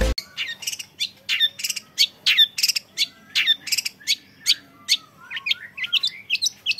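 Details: Young long-tailed shrike, a caged songbird, singing a varied, busy run of sharp high chirps and downslurred whistles, some notes rising in quick hooked phrases toward the end; a faint steady low hum underneath.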